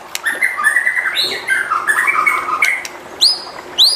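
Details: Singing white-rumped shama, played to provoke other shamas, giving mellow warbled whistles in a flowing phrase, then two bright upswept notes near the end.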